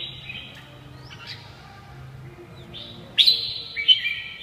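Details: Red-whiskered bulbul phrases: soft notes at first, then a loud, sharp, rising chirp followed by a bright warbled note, over faint low hum.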